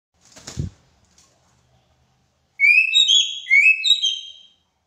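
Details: Greater racket-tailed drongo, a skilled mimic, sings a burst of clear whistled notes that slide upward and overlap, following a short thump and brief rustle.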